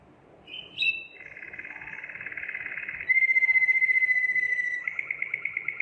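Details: Singing Belgian Waterslager canary, kept for its voice: a brief high call, a long rolled trill, a clear held whistle, then evenly spaced rapid beats.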